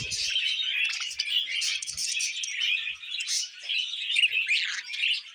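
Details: Budgerigars feeding on vegetables produce a steady stream of bright, buzzy twittering and chirruping, many birds overlapping with no other noise.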